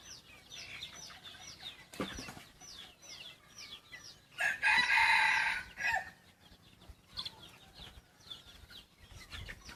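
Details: Crossbred decoy cockerel of yellow-line stock mixed with wild junglefowl crows once, a rough, broad crow of under two seconds, amid steady high twittering of small birds and a sharp knock just before.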